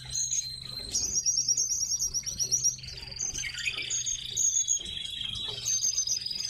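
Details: Several tits kept in captivity calling together: dense overlapping high, thin twittering notes with a sustained whistled tone, fast chirp series and short buzzy trills throughout.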